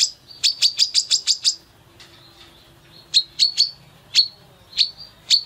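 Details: Female brown-throated sunbird (Anthreptes malacensis) calling with an open beak: a fast burst of about eight sharp, high chips, then slower single chips spaced around half a second apart.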